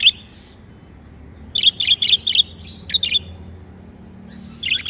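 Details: Happy pet budgerigars give bursts of quick, high, scratchy chirps, about four notes per second in clusters, separated by short pauses, with a faint low hum behind.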